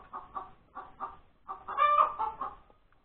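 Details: Laying hen on Sunday, January 31, 2021, at breakfast time: paired short clucks in quick succession, then a loud, long rasping note followed by a few softer clucks.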